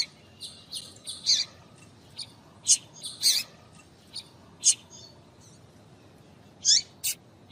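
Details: A female double-collared seedeater gives excitation calls for males: a string of thin, high chirps and clipped notes, dense early then spaced out, over faint steady background hiss.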